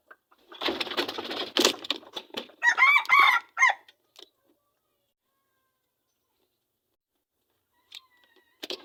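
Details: Aceh junglefowl, a wild-origin bird kept for just one week, lets out a brief, hoarse, broken crow of roughly one second, preceded by loud flapping or rustling noise.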